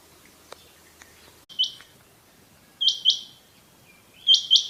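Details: Rain quail, in a recording linked to quail hunting: sharp high doubled notes, 'whit-whit', given in pairs about every 1.3 seconds after one lone opening note, over a quiet background with faint clicks.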